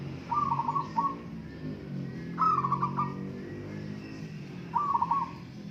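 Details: Local zebra doves in a singing contest: three short stuttering, bubbling coo phrases a couple of seconds apart, with a noticeable low rumbling hum behind.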